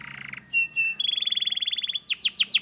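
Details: Canary song used to coax a lazy canary into singing. It opens with a buzzy tone, then clear whistled notes and a fast, even trill, and ends with four loud, sweeping notes that fall steeply in pitch.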